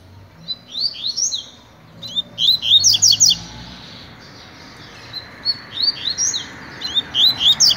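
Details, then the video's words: Double-collared seedeater tutor delivering pure tui-tui song for training: phrases of quick zigzag chirps repeated about every two seconds over a steady background hiss. "COLEIRO TUI TUI PROFESSOR TREINANDO"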